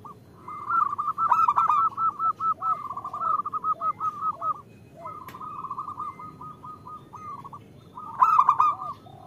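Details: Zebra dove female calling the male, meant to lure males into cooing; long, rapid staccato trills of even pulses, soft descending coos below, and two louder bright stuttered bursts, one early and one near the end.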